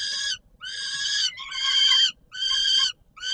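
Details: Peregrine falcon recorded 17 July 2022 on the Palace of Culture and Science, Warsaw, Poland, during feeding time, giving four loud, grating, nasal wails with brief pauses between them and no other sounds.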